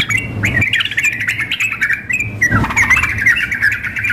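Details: Sooty-headed bulbuls in a contest simulation, female calling male: busy bursts of bright chirps and bubbling whistles, briefly dipping near the middle before resuming, with a low background hum throughout.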